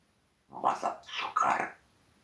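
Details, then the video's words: Parrot cursing at a cat at home in Russian, with three harsh, throaty, speech-like syllables run together over about a second, followed by a quiet room. "Попугай матерится на кота"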